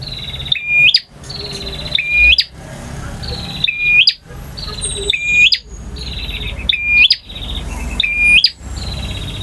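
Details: Extended song of a male bar-winged prinia in the ngotot, ngalun and kristal full-variation styles. Six phrases follow at regular spacing, each a high whistle with a flicked upturn and snapping end, followed by a fading buzzy trill. A low rumble sits underneath.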